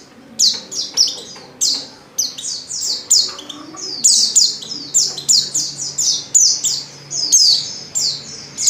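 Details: High, sweet descending chirps from a female Oriental white-eye, a call meant to make males sing, delivered in quick steady runs for several seconds.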